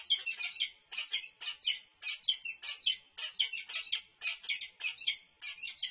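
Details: Peregrine falcon call at the UC Berkeley nest while food is delivered, 3-6-24. Steady, scratchy, wailing notes repeat about three times a second without a break.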